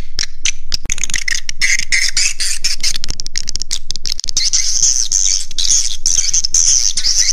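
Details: Roosting lure sound for swiftlets, 'Raja Di Laut' style: busy, crackling high chatter of clicks and sharp chirps, becoming a thin sustained shrill twitter in the later part, over a low droning hum.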